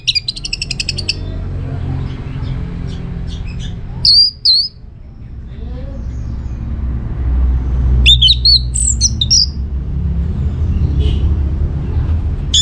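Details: Orange-headed thrush song from Singaraja, North Bali, meant to make other birds respond: scattered bursts of whistles and trills separated by long gaps, a rapid stuttering phrase at the start, over steady low rumbling noise.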